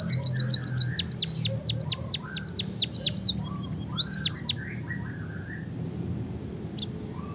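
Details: White-headed munia in canary-imitating rolling song: a rapid run of high ticks giving way to steeply falling whistled notes about three per second, with softer lower warbles beneath and a steady low rumble throughout.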